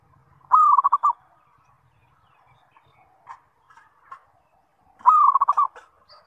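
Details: Zebra dove calling to encourage other zebra doves to respond. The phrase, a long coo trailing into quick staccato notes, is heard twice about four and a half seconds apart, with a few faint clicks between.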